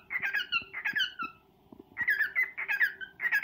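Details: Caged male cockatiel courting a female with a serenade indoors; bursts of rich, warbled whistles that dip and slide downward, grouped into phrases with a one-second gap, over a faint steady background hum.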